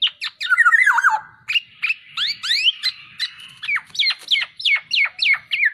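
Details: Black-naped oriole (kepodang) in a masteran song recording: a fast, varied run of sharp downslurred chirps and short squawky notes, with a slurred warbling phrase near the start, about three notes a second.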